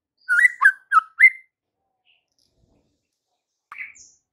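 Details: White-rumped shama singing to provoke fighter males: four quick whistled, slurred notes in a row, then a pause and one more rising whistled note.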